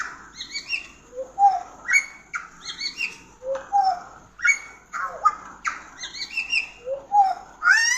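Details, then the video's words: Pied butcherbird song of short, liquid whistled phrases, each a quick rising and falling flourish, repeated about twice a second over a soft background murmur. "burung ini pemilik suara yang khas"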